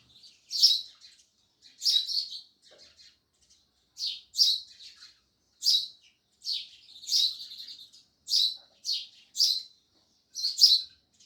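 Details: Loud chirping from sparrows, a steady run of short, sharp, high chirps, often paired, about every half second to a second with irregular spacing, no other clear sounds.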